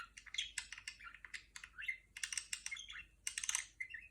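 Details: Pet female budgerigar mimicking R2-D2 indoors: sharp clicking bursts mixed with short sliding whistles, coming in quick, uneven clusters.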